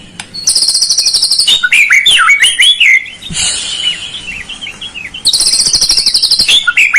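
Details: White-rumped shama song used to provoke a lazy bird into singing: long high buzzy trilled phrases alternate with lower whistled, warbled notes, loud and continuous.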